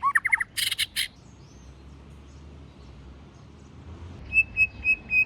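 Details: A white-rumped shama sings in forest voice to stimulate newly caught birds. A short burst of quick notes and harsh clicks opens the clip, then a pause, then four evenly spaced clear whistles.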